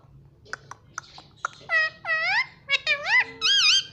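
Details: Indoor pet ringneck parakeet that talks, said to repeat "mummy". A few sharp clicks are followed by four loud, rich, wavering syllables with rising and falling tones in quick succession.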